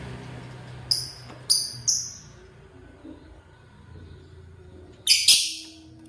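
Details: Lovebird chirping in the morning while eating corn: sharp, high, short chirps, three close together, then a pause and a louder double chirp near the end, over a faint low room hum.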